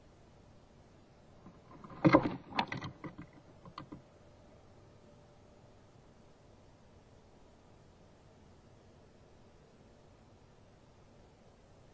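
A brief burst of knocking and rattling clatter around two to four seconds, then only steady low background noise with no animal calls.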